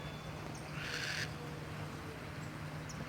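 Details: Owl in a cemetery giving a single harsh, breathy screech lasting about half a second, over a constant low hum and background noise.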